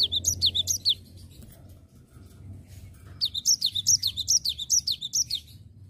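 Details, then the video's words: Cinereous tit singing in full voice, a rolling phrase of rapid high whistled notes, each dropping in pitch, repeated about twice a second in two bursts with a short pause between. "Gelatik Batu nggacor Ngerol"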